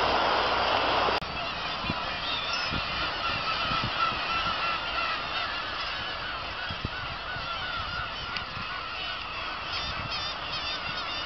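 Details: A dense colony chorus of Black-tailed gulls at Kabushima on the morning of 2 August 2012, after fireworks: many overlapping nasal, cat-like mewing cries, about one or two a second, over a steady wash of background noise.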